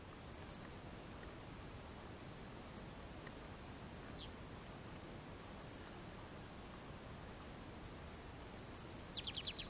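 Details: Striated grasswren of subspecies whitei at Wittenoon Gorge in the Pilbara, Western Australia, recorded 9 June 2012; very high, thin squeaky notes and short trills come in scattered bursts, ending in a quick run of rapid notes, over a steady faint hiss.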